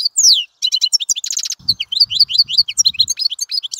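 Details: European goldfinch singing a fast, liquid twitter of high chirps, slurred whistles and a short buzzy rattle, notes tumbling together almost without pause.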